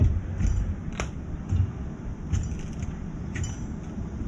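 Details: Low rumbling room noise with scattered metallic clinks and jangling, and no animal voice.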